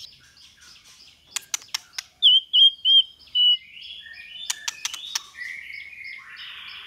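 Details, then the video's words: Training track of white-rumped shama song in 'kéo thuốc lào' and 'giọng dây' styles: scattered sharp ticks, then four drawn-out, steady whistled notes in a row, followed by more clicks and softer, lower buzzy phrases. "Luyện chòe lửa hót hay mỗi ngày ❣ kéo thuốc lào ❣ hót giọng dây"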